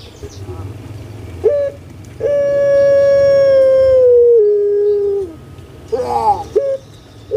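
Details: Captive puter pelung collared dove in Indonesia: a quiet short coo, then a long sustained steady hoot that drops to a lower tone before fading, followed by a bubbling warble.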